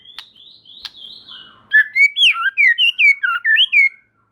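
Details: White-rumped shama song played to stir other shamas: soft thin high whistles, then a lively string of loud, clear, swooping and looping whistled notes, each sharply inflected.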